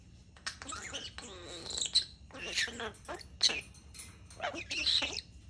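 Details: Talking European starling delivers a run of distinct speech-like bursts, each with voice-like harmonics mixed with sharp whistles and squeaks, spaced by short pauses, in close and clear sound.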